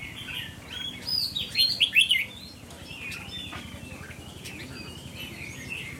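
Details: A pet red-whiskered bulbul marked 'mơ mặt' and 'mí lửa', in an attitude test, delivers one lively phrase of quick, bubbling whistled notes, followed by quieter scattered chirps against a constant low hum.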